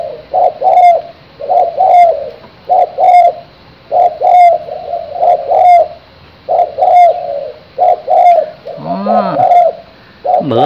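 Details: A young male spotted dove, kept captive, gives its small-voiced crowing as short, soft coos in uneven bursts about every second, with a brief rising squeal near the end.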